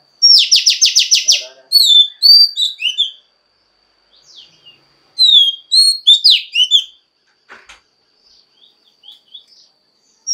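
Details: Female Oriental magpie-robin song meant to stimulate males, opening with a fast burst of about seven identical sharp notes, then varied whistled slurs, a pause, and a second whistled phrase followed by faint, scattered chips.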